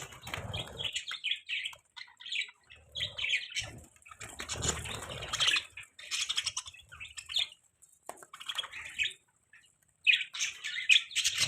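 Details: Budgerigar chirping in the morning: short bursts of buzzy warbles and squeaky notes with pauses between, accompanied by low rustling or flapping sounds.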